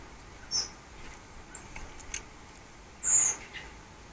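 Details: Male common blackbird eating mealworms on an autumn Saturday morning in a cottage garden at Scone by Perth, Perthshire, Scotland; two thin, high, short whistled calls about two and a half seconds apart, with faint clicks between.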